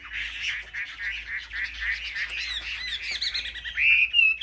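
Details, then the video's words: Chinese hwamei in a singing contest among caged market birds: a busy jumble of chattering notes builds, ending in clear, bright rising whistles. "Họa mi hót đấu"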